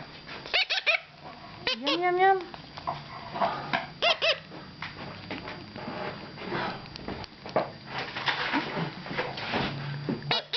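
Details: Young red-breasted (mustached) parakeet chicks sit on the edge of their box at feeding time on 22 April 2009, begging for oatmeal with harsh, raspy squawks and wavering nasal cries in quick bursts while a person talks softly to them.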